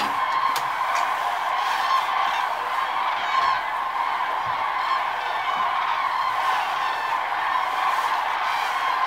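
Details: A large flock of common cranes taking flight in early morning at Lake Arjuzanx, France, gives loud, overlapping trumpeting calls that blend into a continuous rolling chorus, with no pauses.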